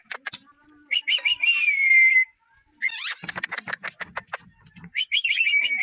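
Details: A ringneck parrot talking as a greeting, with warbling whistles sliding downward, a sharp screechy burst, then rapid clicking chips and a final quavering whistle.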